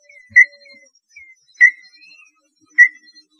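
Small-billed tinamou giving three short, clear whistled notes about a second apart, with fainter thin whistles from other birds between them.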